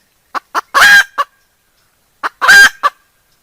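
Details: Cackling decoy hen: two quick clucks lead into a loud, raspy squawk, then a final cluck. The pattern repeats once after a short silence.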